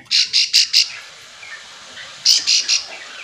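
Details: Calling Bar-winged prinia, whose call is meant to stir other prinias into answering song: two short runs of loud, high, clipped notes, four then three, with a quiet gap between.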